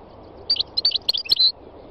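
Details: A wild European goldfinch sings a quick, bright burst of tinkling, twittering notes, high and liquid, lasting about one second.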